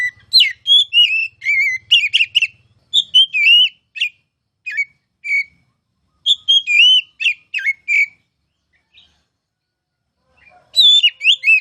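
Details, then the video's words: Masteran recording of a kacer (oriental magpie-robin) singing ngeplong: clusters of fast, varied whistles and slurred chirps, broken by pauses, with a long quiet stretch before a final burst. A faint low buzz is present early on. "KICAU MASTERAN KACER CALON JUARA!!!"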